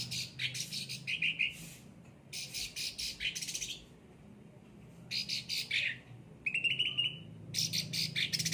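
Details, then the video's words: Pampered cage-kept cucak ranting in full song, giving scratchy broadband phrases and fast rattling trills, then a clear series of thin rising whistled notes, broken by brief silences. "gacor cucak ranting"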